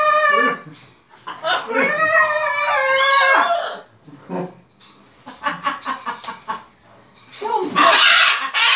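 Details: Pet macaws at play with their owners and a tea towel indoors: a long, wavering harmonic wooooo call, then chattering cackles and a harsh burst near the end.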